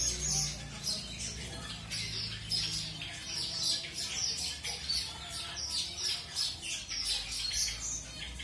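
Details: Mutation-colour zebra finches newly introduced to a new mate for pairing; short, bright, high chirps repeated rapidly throughout, several per second, over a faint low hum.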